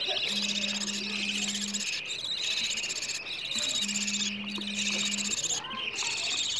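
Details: Newborn budgerigar chicks begging for food, played to stimulate adult budgerigars to mate, make a dense chorus of high, raspy, overlapping chirps that never pause, while a low steady hum sounds twice in the background.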